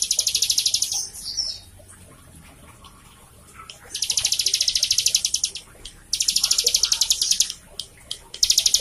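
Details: High, rapid, machine-like trills of a prinia, used to get a captive bird singing. Three long bursts of even pulses each last about a second and a half, separated by quieter pauses with faint chips.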